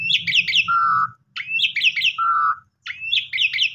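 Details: Asian pied starling (jalak suren) song meant to stir a sulking or stressed bird: rapid rising chirps followed by a clear level whistle, repeated about every 1.4 seconds, with low background hum.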